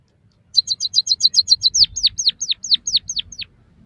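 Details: White-headed munia (emprit kaji, bondol haji) song recorded as training material for captive birds: a quick run of about nine short high chirps, then a string of sharply descending whistled slurs, each repeated roughly every quarter second.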